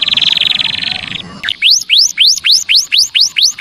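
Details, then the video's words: A Javan munia luring call, used to attract wild birds, starts with a harsh buzzy trill, then breaks into loud hooked chirps repeated about three or four times a second. "Master Kicau Pikat Emprit Kaji, Suara Bersih Nyaring"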